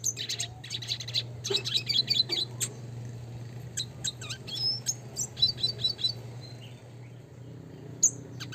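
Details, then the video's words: Red siskin in the classic style, a recording made for song training, giving rapid high twittering phrases with sharp chip notes and short trills, set against a constant low electrical hum. "pancingan suara kicau burung red siskin klasik gacor nembak ngeroll (spinus cucullatus)"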